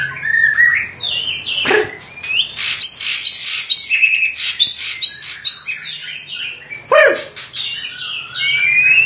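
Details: White-rumped shama singing a loud, varied stream of sharp whistles and chirps. Rising and falling notes mix with quick trills, and occasional short rustling bursts are heard.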